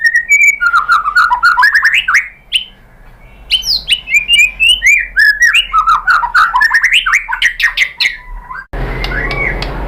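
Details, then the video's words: Lure song of a White-rumped shama to provoke another shama: long bursts of rapid rolling whistled notes, a short pause, then more fast varied phrases ending in a burst of noise. "MURAI BATU jadi EMOSI NYAUT ikut BUNYI GACOR BONGKAR MATERI dengan PANCINGAN MURAI ini"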